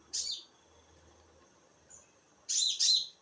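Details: In darkness, a konin bird utters one shrill descending note, a pause, then a louder scratchy doublet.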